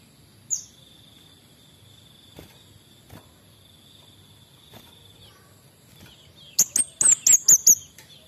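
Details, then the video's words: Actively singing male orange-headed thrush. After a long quiet stretch with faint clicks and a steady high insect drone, a rapid series of about seven piercing, high, slightly downslurred notes comes near the end. "BURUNG KEMADE BUNGA API JANTAN GACOR"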